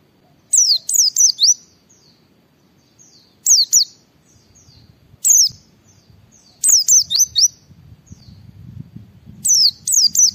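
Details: White-eye song, used to prompt other white-eyes to start singing: bursts of very high, sharp, descending chirps in quick groups of two to four, repeated every one to three seconds, with a faint low hum underneath.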